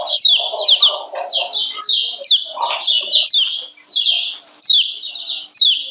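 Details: Lemon-bellied white-eye female call meant to arouse males: continuous string of high, sharp descending chirps in rapid bursts, with soft lower chattering notes early on.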